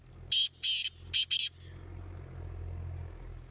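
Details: Black francolin calling in a calling competition: a quick run of four harsh, raspy, high bursts, the last two close together, over a steady low hum and faint background noise.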